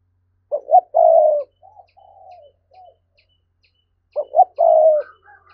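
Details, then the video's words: Spotted dove in the Vietnamese thúc calling style, used as a lure to draw wild doves: low, soft coos, two short notes followed by a longer drawn-out one, repeated after a pause with faint trailing notes. "Giọng cu gáy thúc hay"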